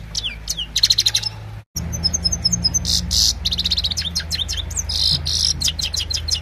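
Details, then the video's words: Himalayan goldfinch in evening song, recorded on a mobile: rapid high twitters, buzzy rattling trills and slurred notes in quick bursts, with a low background hum. "Gold finch simple singing this is really amazing bird song"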